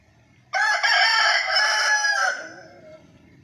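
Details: A rooster gives one full crow: an abrupt loud start, a sustained raspy middle lasting about two seconds, then a falling fade, with quiet background afterward.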